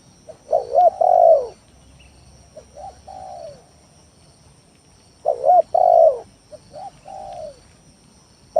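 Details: Spotted dove song used as a lure to provoke rivals: two phrases, each a loud hooting double coo then a couple of softer falling coos, separated by a pause.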